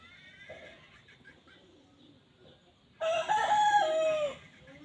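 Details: Red junglefowl giving one loud, harmonic, drawn-out call lasting just over a second, steady then dipping at the end, after a quiet stretch with faint low calls in the background.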